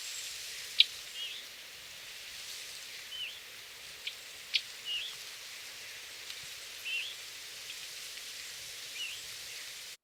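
Scarlet Tanager fledgling gives soft, slurred two-part 'viewy' begging notes every couple of seconds, mixed with sharp adult chips over a steady hiss.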